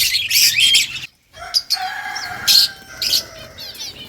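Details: Rose-ringed parakeet eating green leaves, giving loud harsh bursts of chirping between 2 and 10k, with a brief pause, then scattered softer chirps and short whistled notes.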